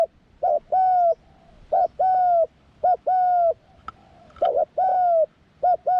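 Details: Young spotted dove taken out to the forest for the first time in training, cooing steadily: paired short mellow notes each followed by a longer sustained coo, the phrase repeated about four times over a quiet background.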